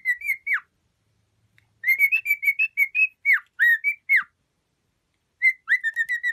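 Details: Short whistled phrases from a pet cockatiel, each note sliding or dropping steeply, sung in three bursts separated by quiet gaps of about a second.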